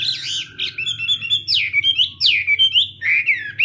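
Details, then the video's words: Chinese hwamei in morning voice practice for singing duels: high whistled phrases with steep downward sweeps, repeated in rapid, energetic bursts about twice a second. "Hoạ Mi Hót Đấu /hoạ mi hót sáng luyện giọng"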